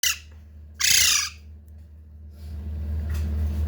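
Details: Parrot chick, described as a talking baby parrot, giving two harsh, broadband squawks, a brief one at the start and a louder one near the first second, followed by quiet indoor hum.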